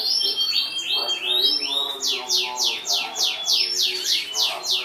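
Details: A 2014 champion canary opens with short rising whistles, then switches to a loud tour of sharply down-swept notes repeated about three times a second.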